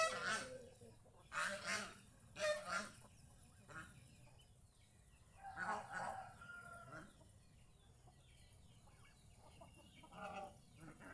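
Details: Domestic geese out in the fields around a house, described as happy, give loud nasal honks in short bursts: three close together, then more after a pause, over a quiet outdoor background.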